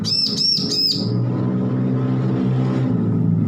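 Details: Just-weaned young bar-winged prinia learning to sing: a single quick burst of three bright, arched high notes in the first second, then only a loud continuous low rumbling hum for the rest.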